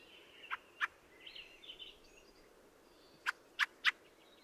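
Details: Fieldfare (Turdus pilaris) singing: a pair of hard, dry clacks, then a soft squeaky warble drifting up and down, and three more sharp clacks in quick succession near the end.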